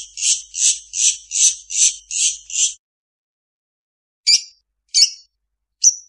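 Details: Long-tailed shrike song full of mimicked notes of other birds: seven harsh, buzzy high bursts in quick succession about every 0.4 seconds, then a pause and three sharp separate chirps, on a clean, quiet background.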